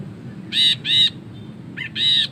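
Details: Ashy bulbul singing a long ngekek chatter, recorded as a tutor track for songbirds. Four short, buzzy, nasal notes fall in two pairs about a second apart, with a faint low hum behind them.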